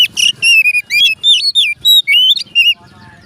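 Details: Oriental magpie-robin singing loudly, its song said to make other magpie-robins start singing: a fast, unbroken string of ringing whistled notes that sweep up and down, ending in soft chatter.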